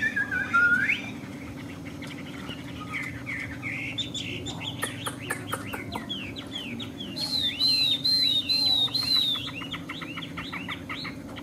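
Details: Chinese hwamei, tame and displaying, delivering a varied song: a rising whistle, then rapid chattering notes, then a sustained series of clear wavering whistles, then quick repeated chips, with a constant low electrical hum behind.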